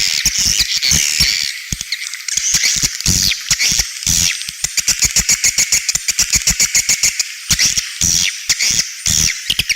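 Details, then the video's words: Edible-nest swiftlet outer call (เสียงนอก), swiftlet house context: shrill chattering chirps that quicken into a steady, rapid series of short pulses, several per second, over a constant high twittering. "เสียงนอก นกนางแอ่น"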